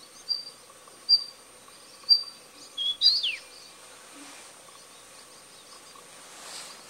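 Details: Daurian redstart, a wintering bird recorded at Bulowan, Hualien, Taiwan on 15 February 2021; short high thin notes about once a second, then a quick rising-falling slurred note near three seconds, followed by quiet background.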